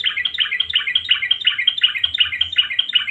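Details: Yellow-vented bulbul singing vigorously as a lure for silent birds: a steady, rapid string of harsh, rattling chirps repeated about three times a second throughout, with no other sounds.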